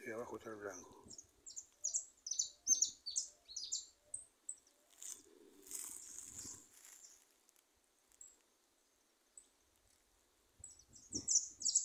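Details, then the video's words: Goldfinches singing loose in a small wooded hill: a rapid series of high, bright twittering notes with buzzy trills, broken by wing flutters and soft rustling, then a pause and a few more high chirps. "jilgueros cantando sueltos en un montecito de buen prio"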